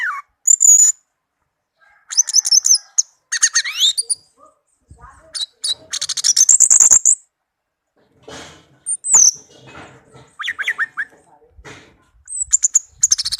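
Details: Orange-headed thrush, a tame bird, delivers a long varied song of high whistles, rapid trills, buzzy chatter and sliding notes, broken by short pauses.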